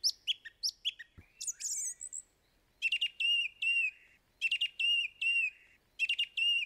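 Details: Song thrush delivering varied song phrases: paired sharp notes, a buzzy scratchy burst, then clear whistled notes repeated in groups of three, each phrase separated by short pauses.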